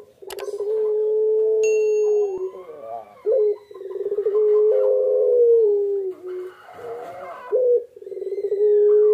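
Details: Barbary dove (puter pelung) calling continuously while incubating eggs: long, steady, low drawn-out coos, each lasting a couple of seconds and broken by short rolling, pulsed notes, repeated several times.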